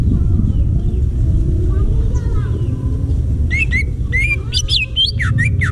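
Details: Faint scattered whistles, then in the final two seconds a wild forest greater green leafbird bursts into fast, varied, chirpy whistled phrases with swooping notes, all above a persistent low rumble.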